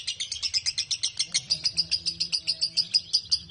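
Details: ["A 'konslet' lovebird delivers long ngekek chatter meant to coax other lovebirds into singing: fast, sharp repeated notes in a steady stream, with a soft low drone and a faint steady tone behind."]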